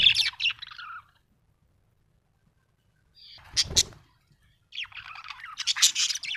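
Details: Small parrot producing scratchy high chirps and chatter in three bursts separated by brief silences, with a low thud in the middle burst.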